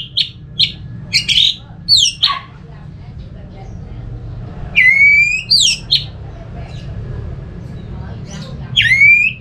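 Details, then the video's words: Orange-headed thrush song from Singaraja, North Bali, played to spur other thrushes into song: clusters of short, sharp whistled notes, a pause, then long, clear whistles sweeping downward, over a low background rumble. "Suara burung ANIS MERAH ini ampuh bikin ANIS Jenis apapun ikut bunyi, pancingan Suara Sebagai Terapi"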